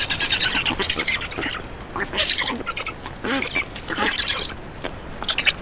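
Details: Feeding at an Estonian black stork nest on 2 June 2019 around 15:43; wheezy, rasping begging notes come in uneven clustered bursts about every half second to second, some louder squeals standing out.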